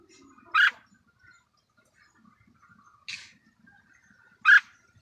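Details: Caged white-clawed red-whiskered bulbul kept as a decoy bird: three short bright warbled phrases, spaced about two seconds apart, in a quiet room with faint low murmurs between.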